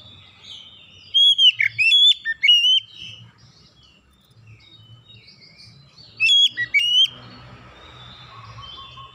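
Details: Oriental magpie-robin song used as a lure to make birds sing: a fast chattering burst of high whistles and slurs, a quiet gap, then a second short burst followed by a hissy background and a low hum.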